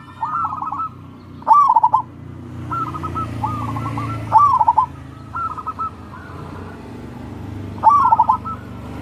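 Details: Local zebra dove (perkutut) crossing-style lure song to make lazy birds sing: a steady series of short trilled coo phrases, louder ones alternating with softer replies, over low background rumble.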